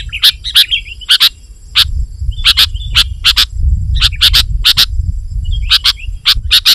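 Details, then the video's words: Sooty-headed bulbul singing energetically, a recording meant to provoke rivals and call wild bulbuls: spaced, sharp chirps in small clusters, with short thin whistled slurs between them, against a constant low-pitched background hum. "Suara Burung KUTILANG GACOR Rapat Menekan Lawan Ampuh Untuk Memikat BURUNG KUTILANG Liar"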